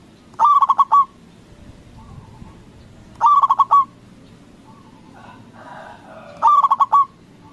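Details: A local zebra dove in Indonesia, a strong singer used to trigger replies from rival doves, repeats its phrase three times about every three seconds: a fast stutter of bubbling coos and a held final note, with soft background murmur.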